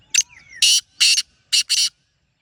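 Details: A single loud black francolin phrase: a short sharp opening note followed by four harsh, buzzy, grating syllables in two uneven pairs, all within two seconds.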